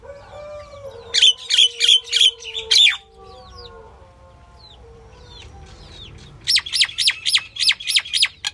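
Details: Female common myna calling: a run of five loud, harsh, buzzy notes in quick succession, a pause filled with faint chirps and whistled slurs from other birds, then a second longer burst of rasping notes.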